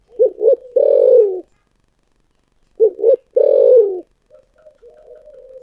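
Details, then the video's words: Spotted dove singing in the 'giọng thổ sấm' style: two short hollow coos, then a longer drawn-out coo that slides downward, with the phrase repeated after a pause and soft trailing notes at the end. "cu gáy giọng thổ sấm// chim cu gáy giọng thổ sấm chuẩn nhất"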